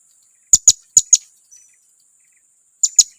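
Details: Blue-crowned hanging parrot lure call to provoke rivals, heard as three quick pairs of shrill, high, clipped chips, with silent gaps between pairs.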